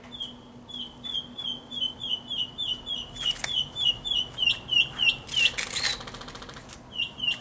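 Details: Mockingbird singing in the distance near a cabin porch, with a woodpecker drumming: a long run of thin whistled notes repeated rapidly, over three per second, then shifting to a new note, broken by two brief noisy bursts.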